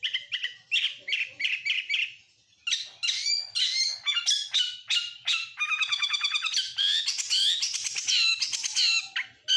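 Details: Oriental magpie-robin singing a song full of borrowed lovebird, canary and prinia phrases. Repeated chirps at a steady pace give way to a dense mix of scratchy notes, a fast buzzing trill and bright whistled warbles.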